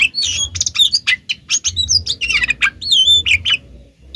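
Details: Oriental magpie-robin lure song meant to get other magpie-robins to answer: busy, harsh chirps and a few looping whistles, slightly muffled, over a noticeable low rumbling hum.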